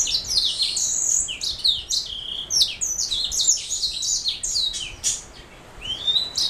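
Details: Canary hybrid mule with a black throat delivering continuous high, varied song: quick chirps, downward slurred whistles and buzzy trills run together, easing off briefly before a rising whistle at the end.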